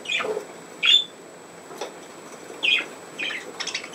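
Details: Pet budgerigars playing, 27 August 2024: a handful of short, sharp squeaky calls spaced about a second or more apart over a quiet background.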